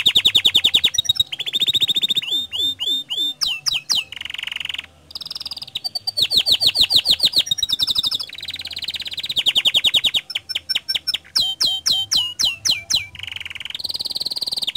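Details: Canary in lively, non-stop song used as a lure to set other canaries singing: rapid trills of repeated notes, steep downward sweeps and steady high whistled rolls, changing phrase every second or so.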